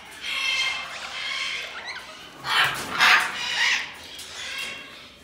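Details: A galah and a Major Mitchell's cockatoo give harsh, raspy screeches: a long grating run, then three louder screeching bursts about half a second apart.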